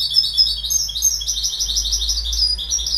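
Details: Continuous goldfinch twittering, a dense stream of high, tinkling, slightly buzzy notes rolling on without a break, loud and close.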